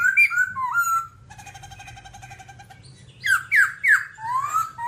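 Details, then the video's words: Babbler whistles and slurred notes, then a soft steady trill, followed by loud rising and falling whistled phrases. "birds Timaliidae singing"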